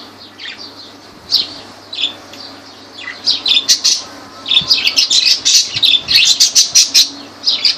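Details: Lovebirds at Laylan, Kirkuk, Iraq: scattered shrill chirps build into rapid, excited chattering, with many sharp squeaky notes packed several per second over the final four seconds.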